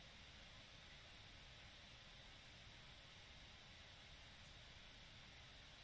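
Quiet, even hiss of broadband background noise with no calls or other distinct sounds.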